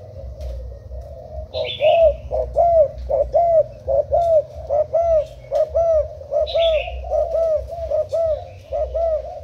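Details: Thai spotted dove used as a decoy, úp cooing style, 10 April 2018: steady run of short, low hooked coos, each slightly rising then falling, with two brief higher chirping calls from another bird.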